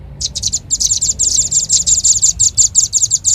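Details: Bird lure of a velvet-fronted nuthatch: rapid, shrill chipping in quick clusters that merge into a continuous high chatter.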